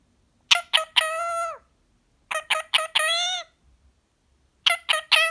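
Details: Male green pied Indian ringneck parakeet talking while relaxing indoors: three groups of two quick syllables followed by a long, steady, nasal drawn-out word, spaced about two seconds apart.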